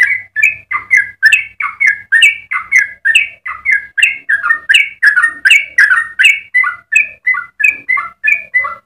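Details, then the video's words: Continuous rapid song of a yellow-vented bulbul, played to train captive birds and coax other bulbuls into singing: a steady chain of bright, bubbling chirps, roughly three per second, shifting between higher and lower notes, with a faint hum beneath. "Trucukan gacor ropel panjang cengkok termerdu untuk pancingan dan masteran"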